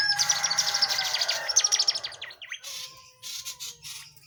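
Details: Tledekan jati singing strongly for tutoring: pulsing high trill with rapid repeated notes for about two seconds, then softer spaced chips and buzzy bursts over low hum.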